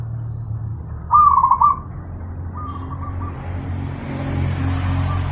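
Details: Pet-bird training master of zebra dove song: one loud phrase of fast trilled coos, followed by softer, shorter echoing phrases, with a constant low background hum.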